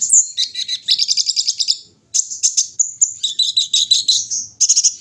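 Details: Olive-backed sunbird, known locally as kolibri ninja, kept bird dewing in the morning: fast metallic trills of stacked high notes, a brief gap, then more rattling twitters and thin whistles.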